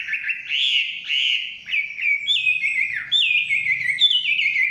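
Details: Forest song of a Chinese hwamei: loud, clear whistled phrases that slide up and down, with long slurred notes giving way to quick falling and rising trills, almost continuous over five seconds.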